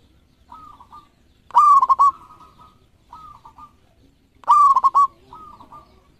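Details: Champion local zebra dove with thirteen tail feathers, kept as a lure bird, sings loud rolling coos of quick pulsed notes, with fainter, shorter coos heard between them, about every one and a half seconds.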